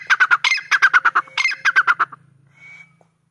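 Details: Black francolin, the kala teetar or Sindhi teetar, giving a rapid rhythmic series of harsh, clipped notes, about six per second in two runs, ending with a faint drawn-out note and quiet background.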